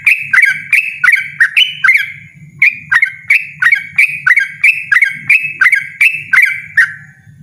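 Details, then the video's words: Loud, persistent yellow-vented bulbul singing a fast series of clipped, bubbly chirps, roughly one or two per second, steady and insistent over a faint low background hum. "burung trucukan ropel ngotot suara lantang"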